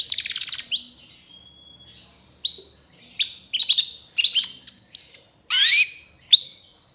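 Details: Full varied shrike tutor song: a fast buzzy trill opening, then separate clean upslurred whistles and short chip clusters with silent gaps between phrases.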